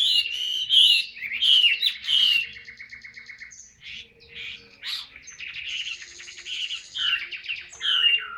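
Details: A caged Chinese hwamei pours out ngũ trường cao cầu song, loud curling whistles giving way to rapid buzzy trills and high sustained notes, ending with renewed twisting phrases.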